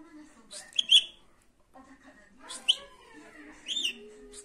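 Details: A pet budgerigar gives a few separate chirps, each a bright squeaky note over soft murmuring, spaced by quiet pauses of a second or more.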